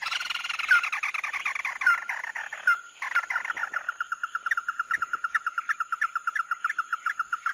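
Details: Mắt Đỏ bird lure recording: busy chattering song with several downslurred notes, settling into a long, even run of quick repeated notes, about five per second.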